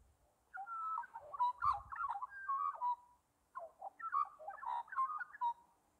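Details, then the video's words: An Australian magpie sings two rich, fluting warbled phrases, each a couple of seconds long and separated by a short pause, with a brief low thump in the first. "Australian Magpie Singing"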